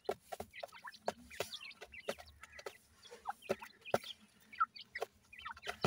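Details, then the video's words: Francolin chicks feeding, with clusters of thin rising and falling peeps and little clucks between regular sharp tapping clicks, over a faint hum. "jewan teetar k bachay, new teetar new chicks feeding"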